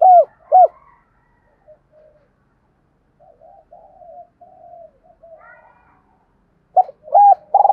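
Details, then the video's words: Spotted dove call used to attract birds. Two crisp hooked coos open the clip, then several seconds of faint, soft murmuring coos, then a fresh phrase of hooked notes and a strong coo at the end. "Tiếng cu gáy kích bổi rất hiệu quả"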